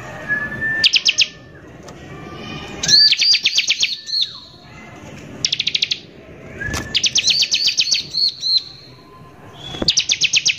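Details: Bar-winged prinia singing in rough 'nembak kasar' style as a lure for other prinias: short rising whistles alternating with dense bursts of fast, high chattering notes, with quiet gaps between phrases.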